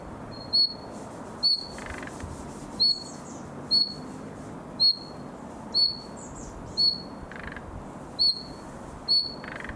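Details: Young common nightingale practising its summer song: a steady run of bright, short, high whistles about one second apart, broken by occasional soft buzzy notes and faint higher twitters.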